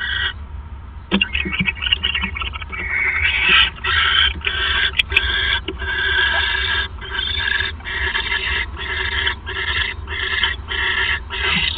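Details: Night scene, 28 December 2014, with a male owl bringing a third mouse; a few scattered clicks give way to loud, dense runs of raspy screeching hisses, chopped into rapid pulses, plus occasional sharp ticks.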